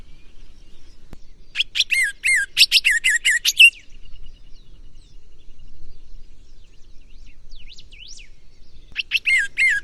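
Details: Green-winged saltator delivering gonga song: a fast, chattering series of buzzy descending notes for about two seconds, a long quiet pause with faint wavering whistles, then the same rapid phrase starting again.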